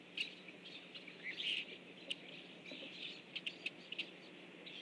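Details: A flock of Rusty blackbirds flying in, 17 October 2013 at about 7:55 a.m., gives a steady chatter of short, high chips and squeaky notes, several overlapping each second, over a low, constant hum.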